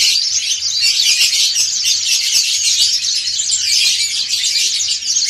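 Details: A flock of dakun and montanus white-eyes in collective ngriwik song, a loud, crowded blur of thin high chirps and rapid trills rising and falling slightly in waves.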